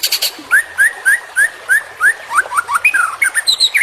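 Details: Murai batu, the white-rumped shama, in a full-content training song meant to make caged birds sing keenly: short upslurred whistles about three per second, ending in varied rising and falling notes.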